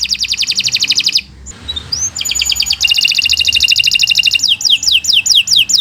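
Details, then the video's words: Canary song used as long master song for training other birds, in fast varied phrases: rapid high trills, a brief pause with soft upslurred notes, then buzzy rattles and repeated downslurred whistles. "Kicau Burung Kenari 135 II LUAR BIASA GACOR PANJANG Cocok untuk Masteran"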